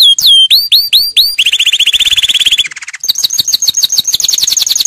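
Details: Canary song for training: loud, sharp upswept whistles, then a fast, even trill, a lower buzzy roll, and a rapid repeated chirping phrase, all very bright and high-pitched.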